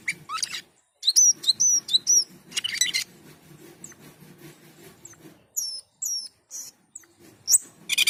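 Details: Asian pied starling (jalak keling, also called cucak keling) in energetic full song, mixing sharp rising whistles, harsh buzzy bursts and chattering notes with brief pauses; a low steady hum runs underneath.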